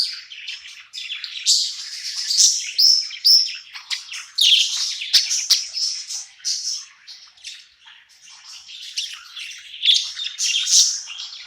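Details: Long, rambling warble from a budgerigar happy at night in a new home: rapid scratchy chirps, clicks and whistled squeaks flowing almost without pause in uneven surges.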